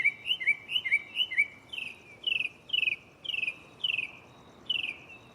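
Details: A mockingbird sings at night in a nearby tree. Quick doubled upslurred chirps give way to a series of longer, down-sweeping buzzy notes, each repeated about twice a second as it shuffles between song types.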